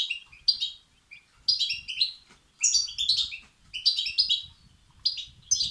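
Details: European goldfinch chicks begging, a recording used to stimulate male goldfinches. Bursts of high, thin, buzzy chirps come in clusters about once a second, with short pauses between bursts and a faint low rumble underneath.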